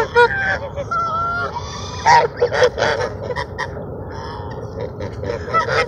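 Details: At Sunset Park on 10-10-17, ducks crowding for food utter a mix of short honks and a few longer, bending nasal notes, several birds calling at once with brief pauses between bursts.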